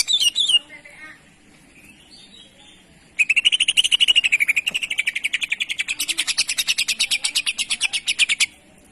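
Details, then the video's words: Cucak ijo (greater green leafbird) jantrok-style training song: a few scattered high chirps, a quiet gap, then a long rapid series of sharp repeated notes, about three per second, that slide slightly down before rising again. "CUCAK IJO Auto JANTROK denger Suara Masteran ini"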